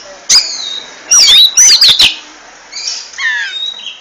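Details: Oriental magpie-robin (kacer) in ngentrok song: loud, sharp descending whistles in quick bursts with harsh clicks, followed by softer fluttering, falling notes after a short pause.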